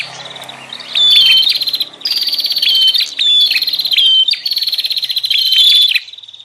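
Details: Bar-winged prinia lure call used to attract wild birds: a series of loud, buzzy rattled phrases with whistled accents, each about a second long, over faint low background hum.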